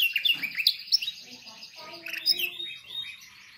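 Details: Singing canary for training birds: a continuous stream of dense high warbling and twittering, with a lower voice-like sound overlapping in the middle.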